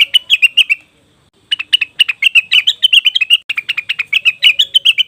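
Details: Cucak wilis or rengganis leafbird calls intended to lure wild birds: a short burst of chirps, a pause, then a long dense run of rapid, ringing, slightly varied notes.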